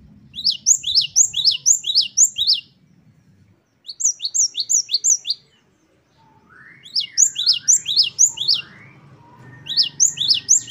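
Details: Great tit in energetic 'wucit-wucit' song variation used as training song. Sharp high doubled notes fired rapidly in bursts separated by silent gaps. Softer rising whistles of another bird in the middle, and faint low background hum.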